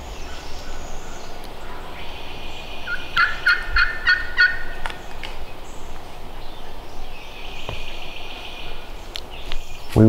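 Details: A distant wild turkey gobbler, one of a pair responding to hunters' calls on Florida public land on a chilly, windy, overcast morning, gives one rapid, rattling gobble about a second and a half long over steady wind and rustling.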